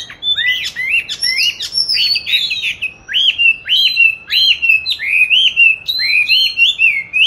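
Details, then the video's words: Captive oriental magpie-robin, raised from 29 July 2020 and recorded 22 March 2021, placed in a chosen spot to train its song. Sharp notes open, then repeated loud arched whistles come about twice per second. "Tổng hợp các clip về con than chuyền nuôi 29-7-2020(clip quay 22-3-2021) treo chỗ lý tưởng luyện hót"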